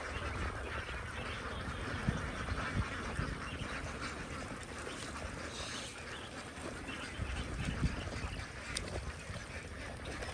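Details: Young domestic ducks in a large farm flock keep up a thick, ceaseless chorus of quacks and peeps, many birds calling at once, with a low rumbling noise beneath.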